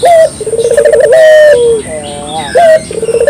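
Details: Clear-voiced local collared dove, used to lure birds: a short raised note, a fast throbbing roll, then a long smooth coo that dips at its close, phrases following closely in a low, mellow register.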